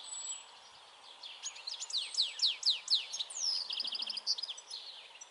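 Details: European goldfinch song: a run of sharp descending chirps followed by a rapid tinkling trill and a bright high note, with faint background hiss.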